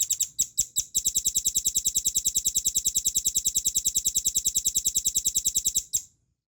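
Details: Velvet-fronted nuthatch, a caged Indonesian training-recording bird, delivering a rapid run of piercing high chips. A few separate notes open it, then an even string of about seven notes per second stops abruptly before six seconds.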